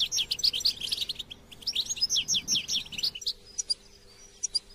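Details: Song of the European goldfinch for stimulating captive goldfinches: a quick series of bright, falling twitter notes for about three seconds, then only a few isolated high chirps.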